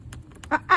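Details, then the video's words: A pet toucan perched in an indoor tree by a window, after chewing a houseplant's leaves, gives two short, soft, nasal honks about a fifth of a second apart, preceded by faint clicks in a quiet room. "his gentle little honks"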